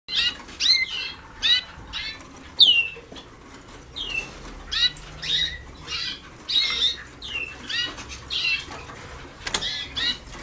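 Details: Young Waterslager canaries in song training, a few days into their 2010 schooling, still far from finished: short bursts of curved, sliding notes repeated about every half second to second, with steady low background hum.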